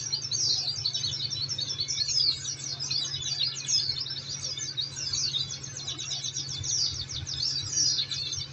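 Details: Oriental white-eye song used to stimulate caged birds to sing: a long, continuous flow of thin, high, rapid chirps and trilled twitters with short sweeping phrases, steady low hum in the background.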